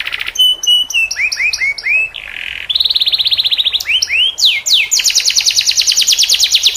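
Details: Canary with unique gacor cengkok for masteran use: held whistles broken by chips, falling slurred notes, a short buzz, a rising trill and a long loud rapid trill at the close.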